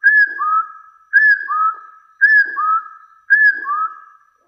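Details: Hill partridge calling to challenge rivals: four two-part phrases, a high clear whistle followed by a lower upslurred whistle, spaced roughly every 1.1 seconds.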